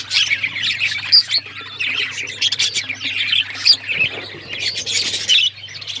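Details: Budgerigars chirping, a busy chatter of short scratchy warbles and squawks with a few brighter whistled notes, steady through the recording over a low constant hum.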